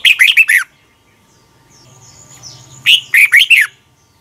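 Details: Caged Red-whiskered bulbul, recorded as tutor song for young birds in Thailand: two short bursts of four loud, falling warbled notes, separated by a two-second pause with a faint whistle.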